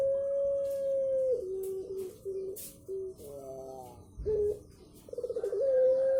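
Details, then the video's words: Dove, puter pelong, making an unusual call: a long steady mid-pitched tone, then a series of short lower coos separated by brief pauses, a wavering pulsed stretch, and a final sustained tone. "Puter pelong suara aneh."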